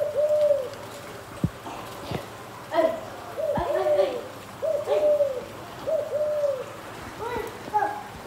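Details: Spotted dove cooing, repeated phrases of soft slurred coo notes, about five phrases spaced roughly a second apart, with a second bird's higher notes overlapping and occasional sharp knocks in a rural outdoor setting.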